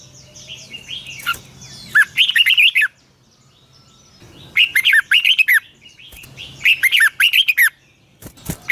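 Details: Caged Red-whiskered bulbul morning training song, long twisting double-voiced phrases: repeated bursts of bright whistled notes rising and falling quickly, with gaps of about a second and a low hum underneath.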